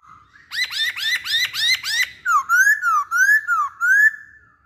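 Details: Chinese hwamei in full song: a run of six loud, rising, harmonic-rich upswept whistles, then quick alternating slurred whistles that rise and fall, about five phrases in a bouncy rhythm.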